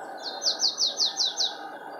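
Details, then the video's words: Marsh tit song from Linford Lakes Nature Reserve, Milton Keynes, 25 March 2015: seven loud, ringing, down-slurred high notes repeated quickly and evenly, each swelling then falling, with a faint low background hum. "marsh tit singing (Poecile palustris)"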